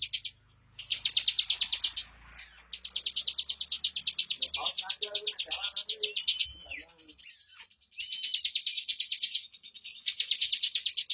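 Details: Bar-winged prinia singing 'bocor ngunci' song: long strings of fast, high, buzzy notes in several bursts, with short pauses and a few softer lower sounds between them.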